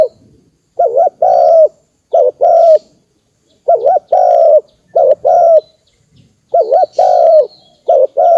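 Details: Cooing of a spotted dove, a recording used to excite decoy birds when trapping: repeated phrases of a quick wavy note then a drawn-out mellow coo, about six phrases in eight seconds, with faint high twitters.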